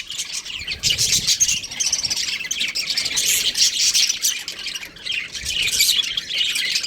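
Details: Budgerigars of a breeding pair in loud, dense warbling chatter of grating chirps and squeaks, coming in long swells with a brief lull near the fifth second.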